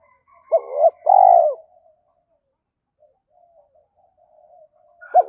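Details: Lure recording of a spotted dove for training young caged doves to coo. A low two-part phrase, a brief rising hoot then a drawn-out mellow coo, is followed by quiet and the start of another phrase.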